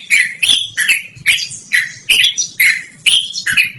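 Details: Yellow-vented bulbul (trucukan) in clear, ringing song for luring or training birds: about eight bright, slurred notes in under four seconds, each rising then falling.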